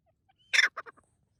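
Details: A francolin jumping about in a forest gives a harsh, grating screech followed by two or three shorter rasping notes, all within about half a second, with no other clear sounds.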